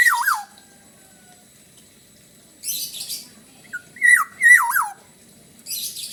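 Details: Energetic black-naped oriole singing in Bali: fluty, slurred whistles that fall and waver, arriving in short groups between bursts of harsh, scratchy high notes, with silent stretches in between.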